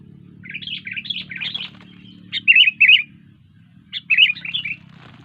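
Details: Sooty-headed bulbul, a lively singing bird, giving bursts of quick chirpy, warbled notes in three phrases separated by short pauses, with a low steady hum underneath.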